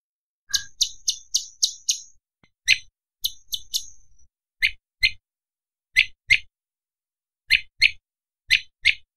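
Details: Light-vented bulbul (cucak cungkok) with a sharp, varied training song for other songbirds: a run of quick high chirps, then paired sharp notes repeated at irregular intervals.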